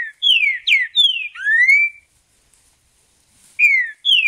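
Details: Mateiro-style song of a wild Green-winged Saltator: rich whistled notes sliding downward in quick succession, finished by a long rising whistle, then over a second of silence before a fresh phrase starts.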